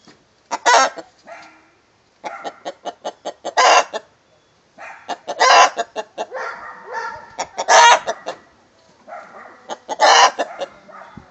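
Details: A rooster joins a hen in the egg song: loud, broad squawking bursts repeated in rhythmic runs, each run of short clucks climbing into one harsh, drawn-out cackle, about every three seconds.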